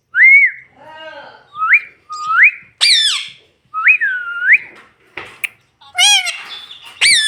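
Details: Pet green ringneck parrot talking, repeating bright whistled, upslurred phrases about every half second, then harsher, richer syllables near the end, indoors with no other notable sounds.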